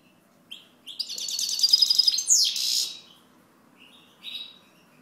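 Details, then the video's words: European goldfinch gives a tinkling, rapid twitter that builds into a dense burst of high chattering notes, then a downward buzzy slur, followed by a few softer isolated chirps. "Chant Chardonneret"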